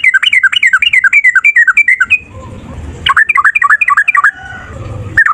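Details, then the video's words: Fighting male yellow-vented bulbul singing long bouts meant to prompt other birds to sing: rapid repeated bubbly two-note phrases dropping and rising, two fast runs separated by a short quieter gap with low rumbling background. "Trucukan gacor TARUNG ROPEL PANJANG pancingan trucukan agar bunyi jadikan burung trucuk NYAUT"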